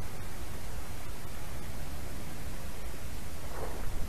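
Steady rushing outdoor wind and rustling noise fills the recording from start to finish with no clear animal call.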